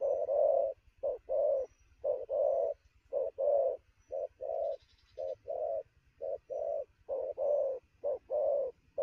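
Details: Recently trapped spotted dove giving rapid midday coos: deep rounded notes, a clipped note followed by a longer one, repeated about once a second without pause, faint high chirps at times.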